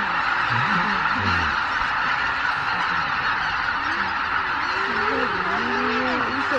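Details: At Miyajima-numa on 23 April 2017, over 83,000 Greater white-fronted geese lift off from the roost at dawn under poor skies; a continuous din of calls, with sharp yelping honks swooping up and down near the end.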